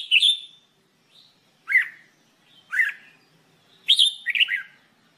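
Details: Red-whiskered bulbul, known as jambul bulbul, singing for training: a series of clear whistled notes, some dropping downward, spaced about a second apart and ending in a rippling multi-note phrase; quiet background.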